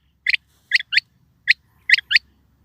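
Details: Quail call given as crisp, short notes, mostly in quick pairs, with clear pauses between the groups and almost no background sound.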